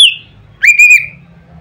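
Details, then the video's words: Single loud phrase from an Oriental magpie-robin, meant to provoke other magpie-robins: a falling whistle, then a brief rising note that levels into a sustained bright whistle. "nada keras bikin burung Kacer lain ngeplong"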